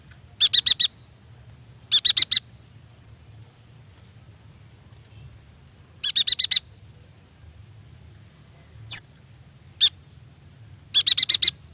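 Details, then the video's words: Yuhina song played to stimulate young or silent birds: clusters of four rapid buzzy high notes separated by long pauses, plus one sharp whistled chip and a single isolated note. "AMPUH untuk memancing bunyi burung yuhina bakalan, muda dan malas bunyi"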